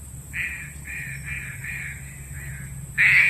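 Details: Lure call of a green pigeon for trapping birds, a row of six soft even tonal notes about half a second apart, ending with a louder abrupt note, steady electrical whine and low hum behind.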